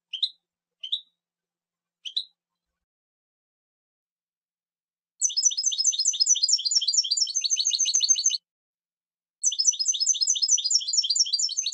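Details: European goldfinch: three short separate high chirps, then two long runs of fast, tinkling, twittering notes.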